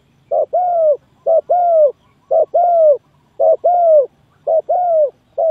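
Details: Spotted dove calling as a trapping lure: five steady pairs of low coos, a clipped note then a drawn-out falling one, repeated about once a second, ending on a single short note, with a quiet background.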